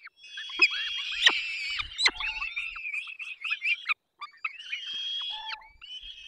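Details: Peregrine falcon young calling while parents feed them, Dolina Baryczy, Poland, 3 May 2024: shrill thin whining and quavering squeaks with sharp clicks, a short silence near four seconds, then a long steady whine.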